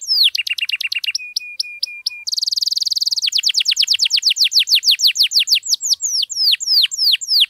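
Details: Canary song meant to trigger singing in silent canaries: a clipped rapid trill, several flat pure tones, a buzzy rattle, then a long run of rising and falling whistled slurs.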